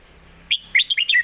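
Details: Red-whiskered bulbul kept for competition, giving its master song for young birds to learn: a single clear whistle, a short pause, then a rapid run of sharp, warbling notes that rise and fall.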